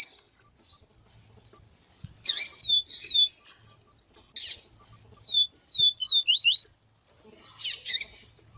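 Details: Yellow-bellied seedeater, papa-capim viviti, likely a female calling to excite males. Three buzzy bursts, each followed by quick, thin, down-slurred whistled notes, over a steady high-pitched whine.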